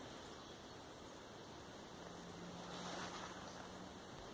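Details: Steady wind and surf-like rushing noise with a low, even hum rising faintly near the end; no animal calls are heard.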